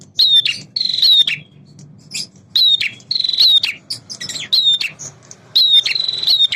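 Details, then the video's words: Loud, persistent song of a male prinia, its style said to mix prenjak semi and prenjak klawu. Rapid buzzy trills and sharp high notes repeat every second or so over faint background noise. "PRENJAK JANTAN GACOR"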